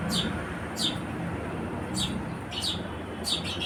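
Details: Five sharp, high house sparrow chirps spaced unevenly over a few seconds, with a low, steady engine-like rumble underneath.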